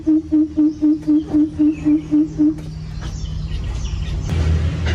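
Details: A coucal calling to its flock in an aviary gives a quick run of about ten deep, hollow hoots, roughly four a second, then falls silent, leaving a soft background hiss.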